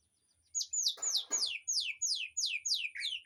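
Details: Aviary birdsong for tutoring a white-rumped shama: a series of about ten loud, clear downslurred whistles delivered rapidly, roughly three per second, with brief lower rustling between the early notes and a faint constant high tone.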